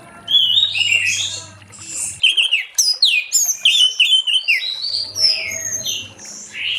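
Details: Late-afternoon orange-headed thrush 'ngeplong' song, meant to lure others into singing: a continuous, fast medley of varied high whistles, slurs and chirps flowing without pause over a faint low hum.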